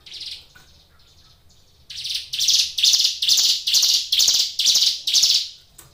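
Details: Brown Prinia (ciblek gunung) kept as a caged songbird: one faint buzzy note, a pause, then a rapid, regular series of loud, harsh, buzzy high notes, over two per second.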